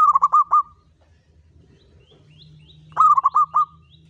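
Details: Local zebra dove lure song, Mataram rhythm: a short burst of rapid, even coo notes, a quiet gap with a low steady hum, then a second burst of four or five quick notes.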